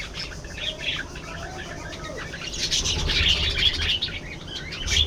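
Budgerigar warbling, with a stream of chirps, clicks and squeaky notes over low background rumble.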